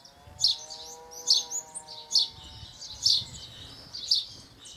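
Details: Brazilian house sparrow out in nature repeating sharp chirps a little faster than one per second, each a bright double-edged note, while a faint steady tonal drone runs underneath during the first two seconds.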